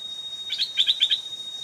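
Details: Stripe-throated bulbul, a caged decoy bird used to lure an aggressive old wild bird that came to the trap twice; a quick burst of bright, bubbly chirped notes, three paired pulses in under a second, over a steady high hiss.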